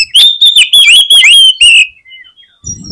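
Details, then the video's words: Oriental magpie-robin singing hard to goad other magpie-robins into song: a rapid string of loud, ringing, wavering whistles and downslurs lasting nearly two seconds, then a faint whistle and low rumble. "SUARA KACER GACOR INI SANGAT AMPUH BIKIN KACER LAIN CEPAT NGEPLAY"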